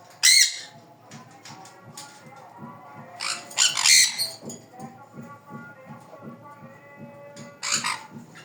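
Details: Sun conure chicks giving loud, harsh screeching squawks in three short bursts, near the start, around the middle and near the end, with steady background music and a low repeated beat throughout.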